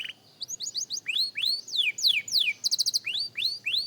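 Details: Young canary at singing practice, delivering rising and falling whistled slurs, a brief fast rattle, and upward-sweeping whistles at a lively pace.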